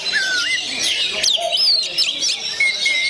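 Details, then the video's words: Oriental magpie-robin (kacer), called 'gondo mayit', singing: clear whistled notes sliding upward, then sharp high sweeps and a long thin whistle, over a dense wash of other chattering birdsong. "SUARA ASLI KACER GONDO MAYIT"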